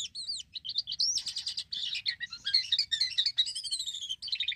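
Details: Black-winged myna singing vigorously, used as a lure to prompt other mynas to sing: a fast, varied run of whistled upslurs, chattering notes and buzzy harsh bursts, with almost no pauses. The background is quiet.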